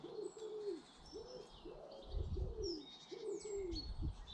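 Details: British garden birds: soft, rounded cooing notes come in pairs and repeat steadily throughout, while faint high twittering from other birds drifts in the background over a low rumble.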